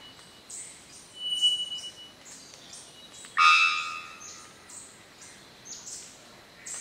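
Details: An adult male Three-wattled Bellbird on its perch in Curi-Cancha Reserve, Monteverde, Costa Rica, gives one loud, explosive, ringing bonk preceded by a thin, steady whistle; faint rapid high chips repeat throughout.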